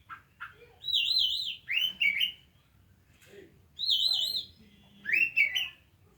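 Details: Kacer singing in two bursts of loud rich whistles, each a wavering trilled phrase followed by a lower rising slurred note, separated by quieter pauses with faint background noise.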